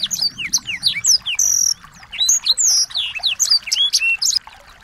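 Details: Twittering small birds serving as training song for a white-rumped shama: quick high chirps and slurred whistles tumble over one another, broken by a sustained buzzy note early on and ending in a flurry of sharp tweets.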